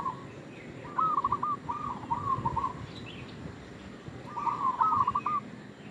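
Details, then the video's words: Local zebra dove in lively voice giving its lure call: a run of rapid staccato coos rolling into a purring trill, a pause, then a second trilled phrase, with soft background hiss. "Perkutut lokal gacor suara pancingan"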